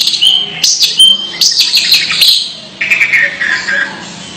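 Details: Long-tailed shrike (cendet) making strange 'ngeker' sounds, heard close and loud. Scratchy chirps and clicks run rapidly, then give way to a lower, rasping slurred phrase near the end.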